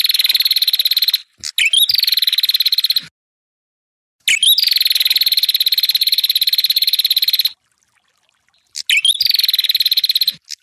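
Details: Ashy tailorbird singing to provoke opponents: extended, harsh, rapidly pulsed trills lasting up to three seconds, each introduced by quick swept chirps, with short pauses between them.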